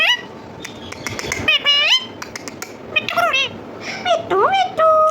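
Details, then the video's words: A pet parrot talking indoors, mimicking human words in a string of rising and falling harmonic whistled syllables, several short phrases over five seconds with brief pauses between them. "Random talking parrot"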